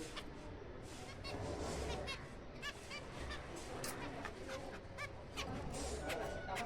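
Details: Zebra finch breeding colony in April chatters as a group: quick nasal beeps and short buzzy notes, several per second, over a steady low rumble of background noise.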